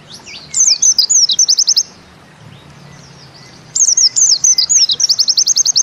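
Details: White-eye singing Bustomi-style with the 'nembak ziperrr' shot: bursts of high slurred twitter running into quick repeated chips, a quiet break, then the same phrase and trill again.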